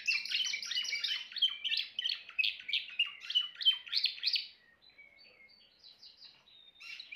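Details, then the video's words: Timbrado canary pouring out loud rapid trills and warbled phrases for about four seconds, then dropping to soft, sparse whistled notes and quiet trills before a brief louder burst at the end. "meilleur chant canari l chant canari timbrado"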